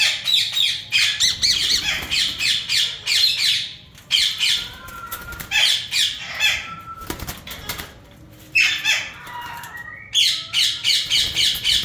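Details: A breeder pair of yellow Indian ringneck parakeets keeps up long runs of rhythmic, harsh squawks about three a second, broken by brief pauses, with some wing flapping and rustling.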